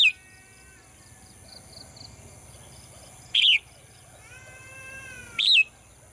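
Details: A female bird, kept in a cage and singing each morning, gives two loud hooked chirps about two seconds apart. Softer drawn-out calls from distant birds and a constant high electronic tone sit behind them.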